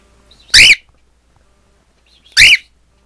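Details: Pet cockatiel facing a mirror gives two loud, harsh screeching calls, nearly two seconds apart.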